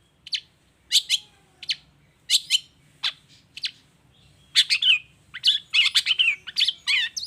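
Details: Long-tailed shrike song used to lure other shrikes into answering; spaced single sharp notes at first, building into a dense scratchy chatter with slurred whistles.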